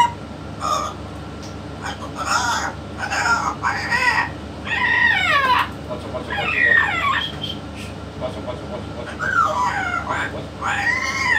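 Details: Yellow-naped amazon speaking in the company of a parrot expert: clusters of rich harmonic utterances with sweeping rising and falling inflections, separated by brief pauses, over a faint steady hum.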